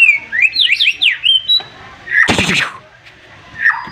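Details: White-rumped shama in overexcited song: a rapid series of rising, slurred whistles zigzagging upward and ending in a held high note, then a harsh rasping burst and a short falling whistle.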